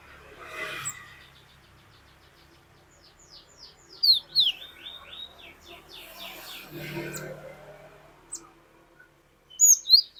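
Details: Cinereous tit (glatik batu) singing the long 'wucit wucit' song: a rapid string of high, slurred whistled notes repeated many times, partly over a low rumbling background, ending with a short burst of sharp high notes.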